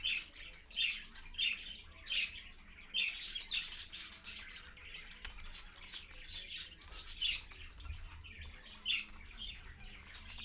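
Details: Parakeet parent with babies at 6:20 AM, 4.1.15, on a live camera: hoarse chirps and squawks at roughly one-second intervals with continuous softer twittering beneath.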